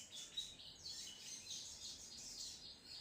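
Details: High, busy twittering from a crimson sunbird (sogon trotol) in full song, with a short sharp squeak near the start, then steady fine chirps and buzzy trills.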